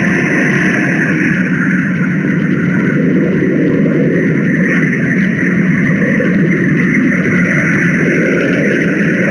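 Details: Loud, steady engine-like drone with constant low rumble and unchanging tonal bands throughout, no animal voices audible.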